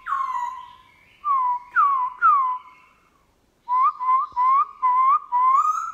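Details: Kept black-throated laughingthrush singing in the morning in wild-style voice: several downslurred whistles, a pause, then a quick run of six short rising whistled notes.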